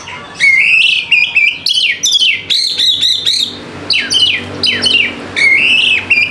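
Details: White-rumped shama song used as a lure to make quiet birds start singing; loud, continuous run of rich whistled and chattering phrases, many sweeping notes and buzzy trills packed closely across six seconds.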